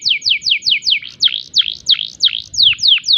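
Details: Domestic canary in breeding condition, singing in a unique phrase style: steeply falling whistled sweeps followed by a series of V-shaped notes, clear and loud, with no other sounds.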